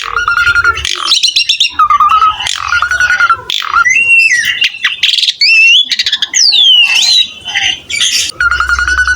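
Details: Asian pied starling in lively full song: harsh squawks and chatter mixed with steady whistled notes, rising and falling whistles and buzzy bursts, loud and varied throughout.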